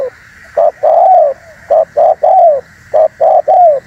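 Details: Spotted dove call used to lure and provoke wild doves: three quick phrases, each two short coos then a longer coo arching downward, repeated roughly every 1.2 seconds, over a steady high background hiss.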